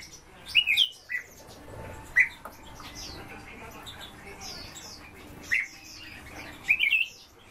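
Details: Azure tit (Cyanistes cyanus) breeding in a cage: short, high chirping calls, some doubled, in loose bursts every second or few seconds over quiet background hiss.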